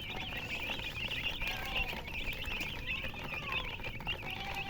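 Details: Chicks chirping in quick, wavering high peeps, many voices at once, with some lower drawn-out tones threading beneath and faint background noise.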